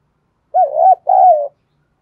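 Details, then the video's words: Spotted dove coo used as a lure for training fighting birds: two long, loud, slightly wavering coo notes back to back, clean and steady in pitch, with nothing else audible. "Thúc & gáy gọi/ tiếng Cu gáy mồi giọng đồng thổ hạp bổi kích mồi luyện bổi hiệu quả"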